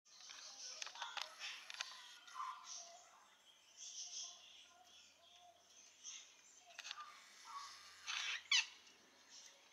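A sulphur-crested cockatoo gives harsh, raspy squawks and scratchy chatter in short bursts, ending with one louder grating screech, in a small echoing room.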